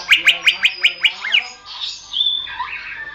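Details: Greater green leafbird song for songbird training: seven sharp chipping notes fired about six per second, a pair of down-slurred whistles, then a softer buzzy, gurgling passage with a thin sustained whistle.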